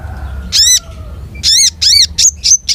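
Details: Long-tailed shrike voicing harsh, layered notes that arch up and down. Three rough calls are spaced about half a second apart, followed by two thinner whistles. A faint low tone drifts beneath.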